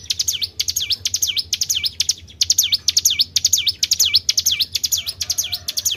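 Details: Tribel bird sound used to lure other birds: high, bright down-and-up whistled notes in quick pairs and runs with short gaps, sharp and repetitive, over a faint low background hum.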